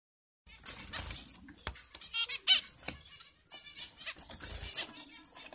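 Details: Captive-bred zebra finches (Taeniopygia guttata): short, nasal, toy-trumpet beeps and squeaks in quick, irregular bursts.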